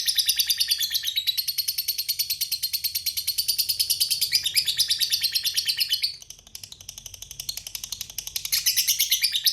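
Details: Long 'ngekek' trill from a lovebird: a dense, high, fast-pulsed chatter carried unbroken for around six seconds, a short dip, then the rattling trill starts again near the end.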